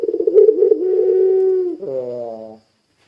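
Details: Puter pelung dove coo used to prompt other doves to join in: a throbbing low coo that steadies into a held tone, then drops into a brief falling, wavering ending and stops.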